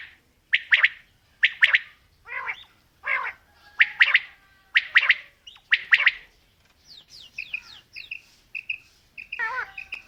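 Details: Male and female quail calling: loud, sharp paired chirps repeat about once a second, then give way to softer, thinner rising and falling whistles near the end.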